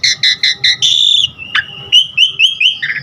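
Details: Asian pied starling song meant for training caged birds: four quick chirps, a long harsh whistled note, then a string of short rising and falling whistles.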